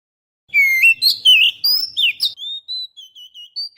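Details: Oriental magpie-robin lure song meant to attract birds, a rich run of loud slurred whistles and quick varied notes, easing into a series of short level whistled notes.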